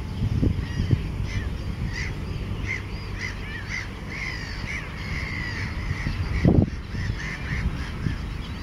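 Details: Mediterranean gull breeding colony with black-headed gulls and common terns on a raft, Montjean-sur-Loire, Maine-et-Loire, 3 July 2013, at least 104 chicks; a steady stream of nasal calls with a loud thud near the end.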